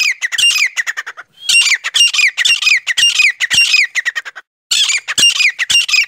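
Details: Forest quail lure call: rapid, grating squawk notes with bright falling sweeps, delivered in quick runs of several notes with two short breaks.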